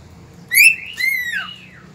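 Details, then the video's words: Cockatiel singing at dawn on 3 September 2019: two whistled notes, the first short and rising, the second longer and sliding downward at the end. "Calopsita cantando ao amanhecer"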